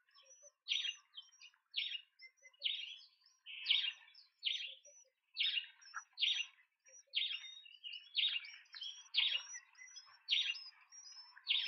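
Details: Large speckled pigeon chicks being fed at a nest in Pretoria, South Africa, on September 28, 2024, filmed by a nest camera: rapid bursts of high, squeaky chirping, roughly one burst a second, in a busy, overlapping stream.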